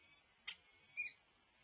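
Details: Alden, a male peregrine falcon of the Cal Falcons, gives two brief, high, scratchy notes about half a second apart, announcing his arrival to all within earshot, 27 June 2022, over a faint steady hiss.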